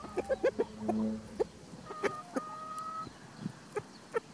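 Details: Chickens and a white rooster that guards his hens while free ranging in spring; rapid clucks and a drawn hum-like note, followed by longer level tones and more scattered clucks.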